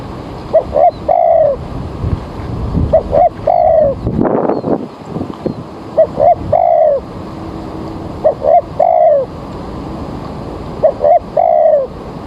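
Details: Spotted dove lure bird for trapping, early morning with rain threatening: rhythmic phrases of two short coos and a drawn-out falling note, repeated about five times, with a brief rustling noise partway through.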